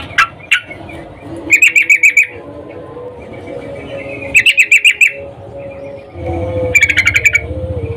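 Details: Female yellow-vented bulbul, in breeding condition, calling a male; three bursts of fast ringing trills, each about eight notes, separated by thin whistles, with a low hum rising near the end.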